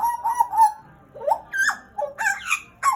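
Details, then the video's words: Booming song from a pet pied butcherbird of Papua, Indonesia, kept near two years: a wavering whistled opening, a pause, then swooping notes rising and dipping, closing with a sharp falling whistle. "JAGAL PAPUA GACOR"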